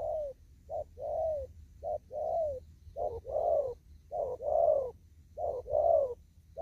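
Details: Wild spotted dove from an upland field, thúc gù cooing: five or six rhythmic phrases, each a brief note then a longer coo that rises slightly and falls, repeated roughly every second.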